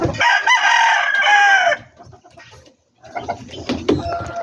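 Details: Backyard poultry chicken crowing: a loud, harmonic, drawn-out crow lasting under two seconds, with a falling tail. It is followed by a quiet pause, then scattered clucks and clatter.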